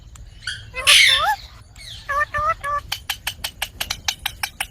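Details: Parrot (mitthu) making a loud rasping squawk, then three short, evenly spaced harmonic calls, followed by a fast series of sharp clicks. Low background hum throughout.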